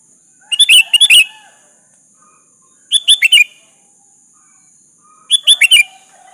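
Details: Three clusters of quick, bright bubbly chirps from a sooty-headed bulbul, some with lower warbled notes mixed in, spaced about two and a half seconds apart as the bird calls a rival to reply; faint steady high hiss throughout.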